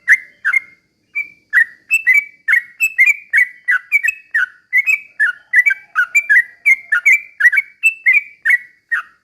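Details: Sooty-headed bulbul song played to spur other birds into singing, a long run of quick liquid phrases, each note sliding down then ending in a brief level whistle, repeated evenly with a short pause near the start.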